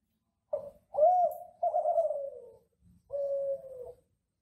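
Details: Song of a classic Kelantan ringneck dove, kept to teach other doves to sing: a short coo, then a rising, swelling coo running into a long falling note, a pause, and a final level, drawn-out coo.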